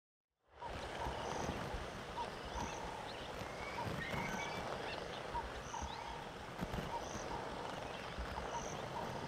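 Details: A large flock of Red-billed queleas gathered to drink makes a dense, roaring wall of chatter, with short, evenly spaced tones repeating about once a second over the din.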